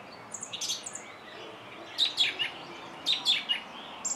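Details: Song thrush song: a few sharp high notes early, then two similar short phrases about a second apart over faint background noise.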